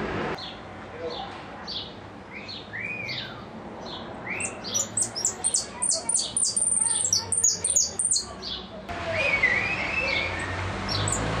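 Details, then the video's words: Goldfinch singing in the repique style: rapid bursts of high, thin twittering notes that grow denser and louder midway, with a few lower slurred whistles and background noise. "Blanco de repique"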